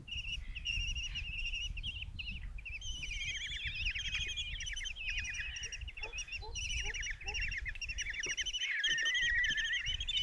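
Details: Begging chorus of five common kestrel chicks fed a mouse by their mother in a nest box, Tiszalök, Hungary, 27 June 2024: continuous shrill chittering and squealing whines, rapid and uneven, several birds calling at once, with faint lower clucks midway.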